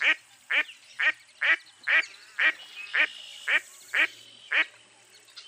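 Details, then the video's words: A mottled duck (Anas fulvigula), a mostly non-migratory dabbling duck of eastern North America, gives a steady series of about eleven loud, raspy quacks, roughly two per second, against a quiet background. "Mottled Duck Call"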